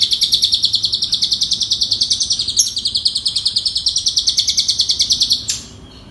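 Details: Asian pied starling training song for coaxing lazy starlings into singing: a long, loud, evenly pulsed high trill for over five seconds, ending abruptly into quiet.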